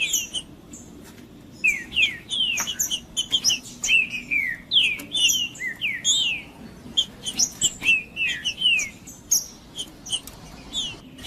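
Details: Green-winged saltator singing in full male song, meant to fire up other males. It opens with scattered high ticks, then moves into dense strings of rich downward-slurred whistles broken by crisp high notes, with short gaps between phrases.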